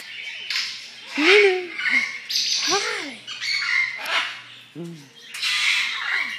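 A hyacinth macaw gives loud, harsh, rasping squawks, some arching up and down, about one per second, among a person's repeated spoken greetings and faint music.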